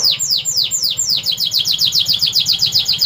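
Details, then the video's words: Canary in energetic 'gacor' song gives several loud, sweeping downslurred whistles about a quarter second apart, then speeds into a dense, metallic high trill of rapidly repeated notes. "Kenari Gacor"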